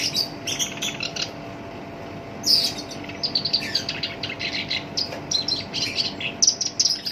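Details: Caged Black-browed reed warbler in full, lively song with a coarse tone, valued as a master song for training songbirds: scratchy chattering phrases, a loud harsh burst, then rapid varied chips and squeaky whistles in quick succession.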